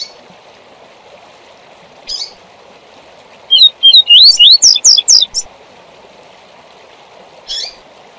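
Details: Tui tui zel zel song of a double-collared seedeater, meant for teaching young birds: one quick phrase of bright rising whistles and sharp high slurs lasting about two seconds, flanked by single soft chips, over constant hiss.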